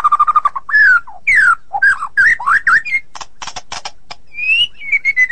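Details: Shama performing ngeplong and ngeroll phrases: a fast stuttering note series, swooping loud whistles and twisting warbles, a few raspy buzzes, then a drawn-out falling whistle.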